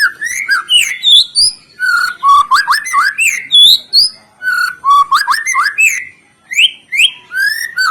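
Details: White-rumped shama song for luring other birds to sing: varied loud whistled phrases with fast rising and falling slurs, quick repeated notes and high sharp chips, nearly continuous.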